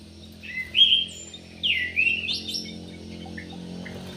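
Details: Yellow-vented bulbul kept in an aviary: two bright, liquid whistled phrases with swooping glides, then a few faint notes over a low steady hum.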